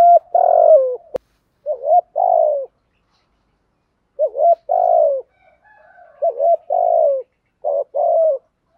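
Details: Spotted dove used as a lure, cooing repeatedly: a long falling coo, then several phrases of short rising notes and wavering coos, with a sharp click near the start.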